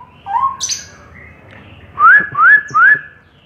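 Straw-headed bulbul giving a few soft opening notes, then three loud, rich, rising whistles in quick succession, about two per second, in a quiet indoor space.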